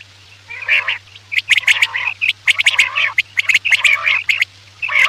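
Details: Quail calls played at night as a hunting lure: dense runs of sharp, clicking notes mixed with short harsh rasping calls, coming in quick clusters over a steady low electrical hum.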